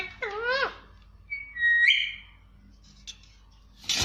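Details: Pet parrot said to talk clearly, indoors: a wavering harmonic vocal phrase, then a long rising whistled note with a sharp upward flick, a brief click and a harsh noisy burst at the end.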